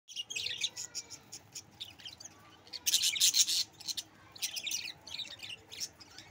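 Budgerigars chatter in rapid, scratchy high chirps and warbles, with a louder burst of squawking midway.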